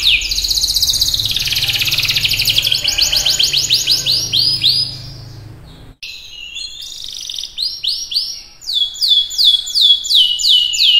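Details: Canary singing hard: a long, dense, high trill of rapid notes, a brief pause, then series of slurred descending notes repeated about three times a second. Steady low background hum in the first half.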